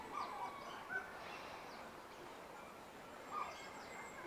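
Giant wood-rail gives harsh, raucous calls in a dense, mid-pitched burst, with a few short squeaky notes standing out.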